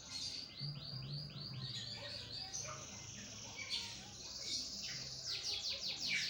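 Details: Canary of the lopper type singing actively: a run of repeated high rising sweeps, then buzzy trills and varied chirps. A steady low hum and background noise sit underneath.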